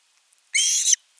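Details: Osprey chick begging for fish at a camera-watched nest, 10 August 2021. One brief, loud, strained whistled scream with a slight upward bend.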